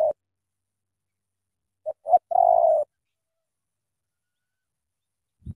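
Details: A single phrase from a Spotted dove from Cà Mau, sung in the thổ tơ style. Two quick short coos are followed by a long, drawn-out quavering coo, then quiet.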